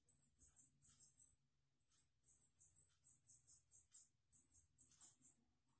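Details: Red siskin (Spinus cucullatus) parent feeding its chick: very high, thin, squeaky chittering in rapid bursts, each about a second long, with short pauses between and a faint low hum behind.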